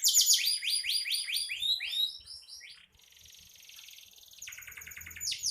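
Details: Canary in lively song, intended as a master for songbird training: quick bouncing high syllables for two seconds, then a softer thin buzzy trill, ending in rising sweeping notes.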